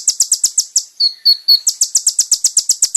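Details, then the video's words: Kolibri ninja song for training caged birds. Steady run of bright high chips, about four per second, broken by a few thin slurred whistles, then the chipping resumes. "MASTERAN BURUNG KONIN TERBAIK SEPANJANG MASA FULL ISIAN MEWAH MATERI KOMPLIT"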